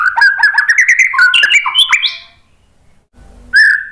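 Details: White-rumped shama song, played as a lure to draw other birds into singing back. Loud, rapid whistled phrases tumble and rise in pitch, then pause briefly before a single bright whistle.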